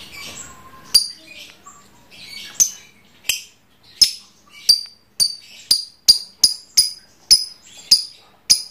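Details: Caged trondol lovebird in ngekek chatter, sharp high clicking chirps that start sparse and speed up into a steady run of ticks about every half second, with faint background rustle.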